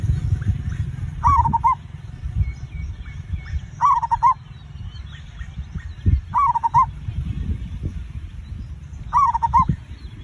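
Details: Zebra dove song used to coax other birds into singing: four bubbling, trilled cooing phrases roughly every two and a half seconds, over loud low rumbling background noise and faint high chirps.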